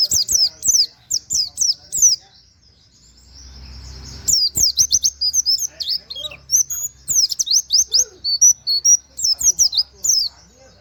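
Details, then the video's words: Long series of canary-like 'wit wit' phrases from a white-eye, meant as tutor audio for other birds. Rapid high descending whistles in bursts, a two-second gap with low rumble, then an extended, even denser run. "pleci nembaķ wit wit kenari cocok buat masteran"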